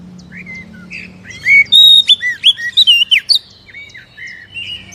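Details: Oriental magpie-robin song serving as a trigger for a reluctant captive bird: scattered soft whistles give way to a loud, quick series of looping, chirpy whistled notes, then quieter whistles, with a constant low hum beneath.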